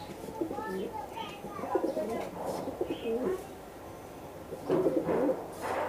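Pigeons give low, soft, throaty coos in short rolling phrases, with people talking nearby.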